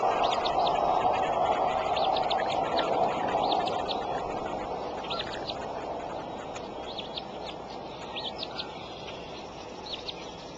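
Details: Adult bald eagle feeding eaglets at the Decorah nest, April 13, 8:37 in the morning, camera microphone; clusters of high, piping, upslurred notes repeat in short series across the recording, with a constant hiss behind.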